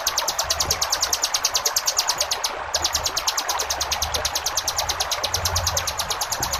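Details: Ciblek gunung 'ngebren' song for training cage birds: a continuous, fast series of piercing high notes with barely any pause, and the steady wash of flowing water underneath.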